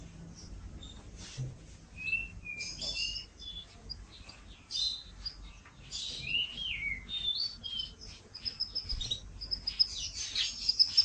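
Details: Canary song used as a long master recording for training; scattered high chirps and short whistled notes, quiet at first, growing busier with bright trills toward the end.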